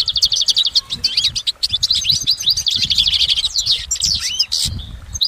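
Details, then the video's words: Wild goldfinch delivering a lengthy, unbroken run of high, liquid twitters and buzzy trills, with a few looping upward-curving notes near the end; soft low background rumble. "Exceptional recordings of the goldfinch in nature"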